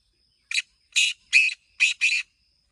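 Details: One Black francolin phrase of five harsh, rasping notes, the last two closely paired, delivered in about two seconds.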